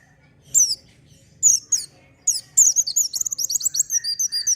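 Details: Pleci, or oriental white-eye, singing energetically ('gacor') as a lure for untrained birds: spaced high chirps building into a continuous stream of rapid, piercing twitter notes over a faint held tone.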